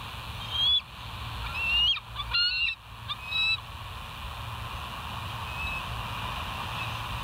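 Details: Bald eagle calling at the West End nest, live nest-cam recording of 19 July 2023 around 05:03: several high, thin, rising whistled squeals in quick bursts, with constant low hum underneath.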